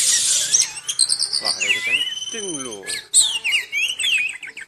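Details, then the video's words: Moulting oriental magpie-robin in full song: varied loud whistles, rapid falling chattered phrases and swept notes, delivered in quick succession with brief pauses. "Walaupun Mabung, Burung Kacer ini Tetap Gacor"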